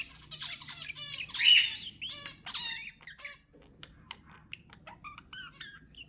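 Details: Budgerigar song for prompting pet budgies to sing: a loud squawky burst early on, then a scattered run of short clicks, ticks and little rising chirps at a slower pace.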